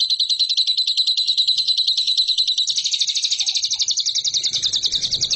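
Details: Lovebird song used as a training recording for competition birds: a sustained, high, rapidly pulsed trill, shifting slightly higher midway and continuing unbroken, with a faint low rumble near the end.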